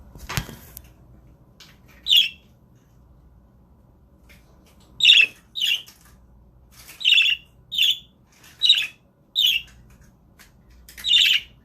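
Budgerigar chirps: eight short, bright, scratchy notes at uneven gaps of about one second. A sharp click sounds at the start.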